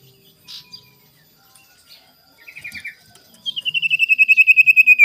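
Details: Singing sirtu in the morning, played to provoke rivals: quiet scattered chirps and a brief buzzy flutter, then a strong run of rapid high pulsed notes, steady in pitch and falling at the very end.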